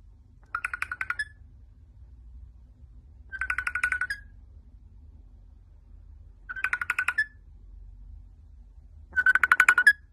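Rainbow lorikeet imitating a phone ring: four bursts of rapid, trilling electronic-sounding warbles about every three seconds, with a low hum underneath.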